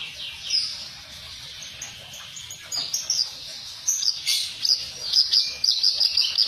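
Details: Reed warbler (kerak basi) harsh-voiced training recording: quiet, scattered rasping notes at first, building to a string of loud, scratchy, repeated chattering phrases in the final seconds.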